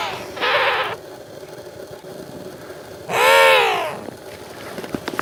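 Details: An African penguin gives a harsh buzzy burst followed after a pause by a single loud arched harmonic bray.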